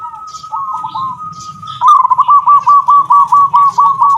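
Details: Local zebra dove singing in the kung style, used for tutoring other birds: one long steady whistled coo, then a fast run of clipped, evenly spaced coo notes about twice a second, with faint chirps of other birds behind.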